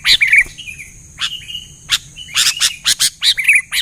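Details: Sooty-headed bulbul singing gacor-style and answered by others: brief warbled whistles at the start and end, with sharp dry clicks and chips scattered between them and a steady thin whine behind.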